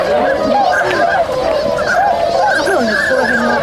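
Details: Group of swans becoming active after waking, Inzai City, Chiba, Japan, 16 January 2022; brief arched honks, a few lower sliding calls, all over the continuous murmur of the flock.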